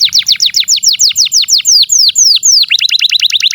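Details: Captive canary's long tutor song, meant to teach young canaries and silent ones: a steady run of sharp falling slurred notes about five per second, then switching into a quicker, higher chattering trill.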